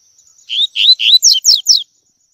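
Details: Double-collared seedeater singing the tui tui song style, recorded for training young birds to sing: three loud, clear, rising whistled notes followed by three quick descending slurred notes, with a faint steady high hiss behind.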